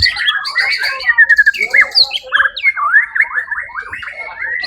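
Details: White-rumped shama competing in a songbird contest, the first-place winner at the Suara Agung event on 1 October 2023, delivers a loud, varied song of quick whistled phrases, chattering notes and rapid up-and-down slurred trills.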